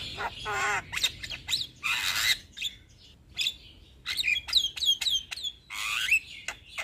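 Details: {'_': 'Young Javan myna in full song, kept as a training and lure bird for other mynas: a wavering nasal phrase, a harsh rasping burst, then a run of quick high whistles and rising slurs separated by short pauses.'}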